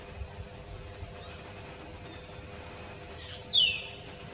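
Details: Common hill myna: a faint thin whistle, then a loud shrill screech sliding steeply downward for about half a second, against quiet low background noise.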